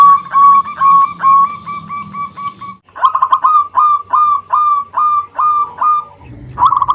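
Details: Local zebra dove, a lure to rouse rival birds: evenly spaced soft whistled coos, then a louder stuttered series of ringing notes with a brief low rumble near the end.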